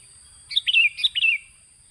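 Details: Sooty-headed bulbul song used as a lure recording to attract birds: two quick bubbly, liquid phrases of three or four fluty notes each, sliding downward, about half a second apart, against a faint steady hiss.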